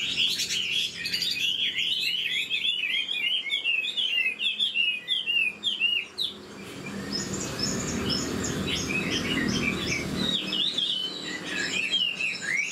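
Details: Chinese hwamei, an old wild-caught singer with rapid delivery. Dense, rollicking whistled phrases fill the first half, then the song continues more softly over a low rumbling background.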